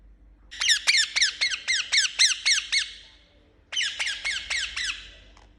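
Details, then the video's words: Pet Indian ringneck parakeet repeating sharp, falling chirps in a fast string of about ten, a short break, then five more of the same. "Amazing Chirping Sound Of Parrot"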